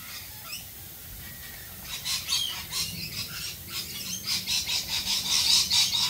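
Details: Rainbow lorikeets in Australia calling through rain, starting quietly, then a fast run of shrill, scratchy screeches that grow louder and denser toward the end, over steady rain hiss.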